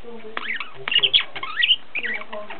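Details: Pet zebra finches kept at home in Ulaanbaatar, Mongolia, giving short nasal, harmonic-rich beeping calls in quick bursts with brief pauses between groups, against a quiet indoor background.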